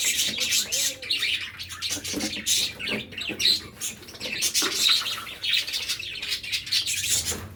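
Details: Feeding cockatiels in a village, chattering with quick high chirps and harsher squawks in uneven bursts, some lower soft sounds underneath, a steady busy flock noise throughout.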